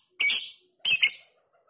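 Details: Lovebird singing ngekek style with tight pauses in a tutoring recording; two loud, harsh, shrill screeching bursts, each about half a second long, separated by a brief gap.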